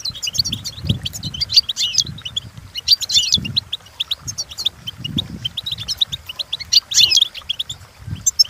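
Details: Training song of a goldfinch: a dense, fast stream of high chirps and tinkling trills, nearly continuous, over a rhythmic low thumping background.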